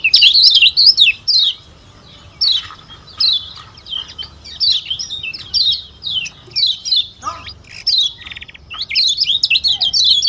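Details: Lombok white-eye (kecial kuning) singing in bursts: clusters of rapid, high, sharp twitters separated by short pauses, with a lower descending note midway and a dense flurry at the close.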